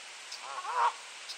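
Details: Goose sending a warning honk in light rain on an April morning in Sainte-Adèle, Quebec, Canada; a single short nasal honk rising at its end, over a constant wash of rain noise.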